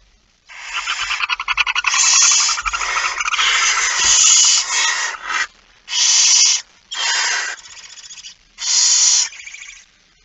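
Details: Barn owl activity at 23:55 on 17 September 2019 as the male brings a mouse: a long run of raspy, pulsing hisses merging into continuous screeching, followed by four separate harsh bursts spaced about a second apart.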